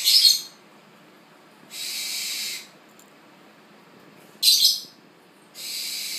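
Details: Captive tropical screech owl chick born 1 September 2013, eyes still closed, begging eagerly at its very first feeding: four harsh hissing bursts about a second long, the first and third sharper and louder with squeaky onsets.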